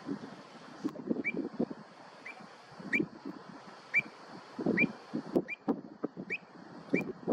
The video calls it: Pied Avocet, Avocetta (Recurvirostra avosetta)